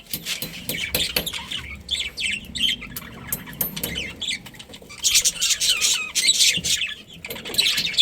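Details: Many budgerigars chirping together in a colony, a continuous chatter of high chirps and warbles with fluttering wing sounds.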